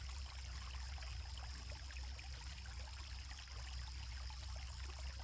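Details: Quiet, steady trickling of flowing water with a low hum beneath, and no animal voices.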